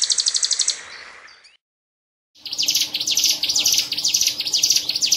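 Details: Hill prinia that won a March 2019 songbird contest in Medan, Indonesia, kept in a cage; fast, high, buzzy notes repeated about twice a second, broken by a short silent gap before the run resumes.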